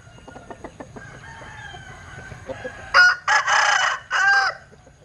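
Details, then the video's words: Linh Kê chicken's unusual crow: faint clicks and ticks at first, then a loud, rough crow in three rasping bursts separated by short gaps. "Tiếng Gáy Độc Lạ. Gà Linh Kê/ Strange Crow Sound"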